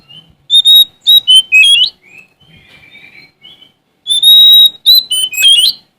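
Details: Oriental magpie-robin from Sumatra in song, searching for a rival: a burst of loud whistled notes and slurs, a soft quiet warbling interlude, then another loud phrase of a held note and quick twisting whistles.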